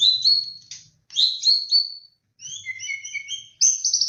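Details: Murai batu lure song: bright whistled notes stepping up and down, repeated twice, then layered high pure whistles in short descending series and a final buzzy flourish, with a soft low hum beneath.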